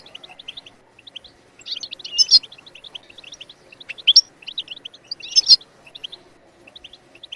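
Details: European goldfinch song used to motivate other birds to sing: steady soft twittering with three louder, buzzy-edged bursts spaced about two seconds apart.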